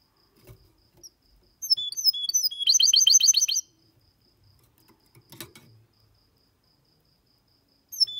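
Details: Goldfinch x canary hybrid song, clean singing used to stimulate males to sing and for young birds to memorise: a few high thin notes, then a rapid, regular run of bright repeated trill notes lasting about two seconds, a brief rattle and a final note.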